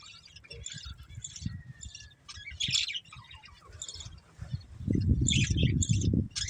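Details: Breeding pair of budgerigars giving scattered high chirps and short squawky notes, mixed with heavy low rumbling and thumping noise that grows loud in the final seconds.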